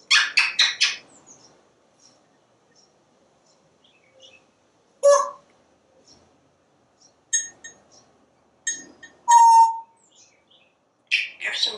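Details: Screened back porch, pet parrot watching squirrels and birds: a rapid triple burst of raspy talk, a lone clipped syllable, then scattered faint clicks, a couple of thin whistles, one clear falling whistle and a final raspy phrase.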